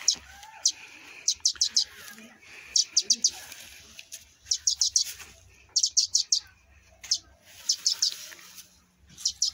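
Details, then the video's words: Sparrow chicks rescued after falling from their nest chirp in quick bursts of three to five high, clipped notes, with gaps between bursts and a faint hiss behind. "canto de gorrion"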